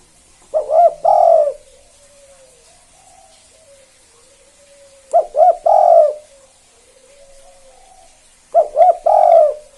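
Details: Spotted dove in full KUK 2 song, played to spur other doves to join in: deep mellow phrases of two short rising coos and a long held coo, repeated about every four seconds, with faint low coos between.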